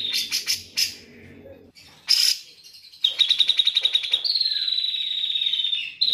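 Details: A grey-cheeked bulbul (Alophoixus bres) sings bright, high chirps, then a rapid rattling trill and a long sliding whistle.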